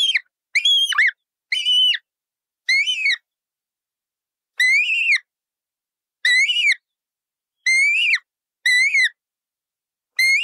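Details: Colourful parrot giving loud, harsh squawks with a strong ringing tone, arched in pitch, nine calls spaced irregularly across ten seconds with clean silence between them.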